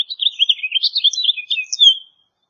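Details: A house finch delivers a brisk, chattering warble of slurred chirps, ending on a longer clear down-slurred note before falling quiet.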